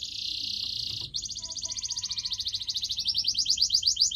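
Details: Pet canary singing on a training recording for pet birds: a high buzzy held note for about a second, then a fast, steadily repeated trill of short notes that grows louder toward the end.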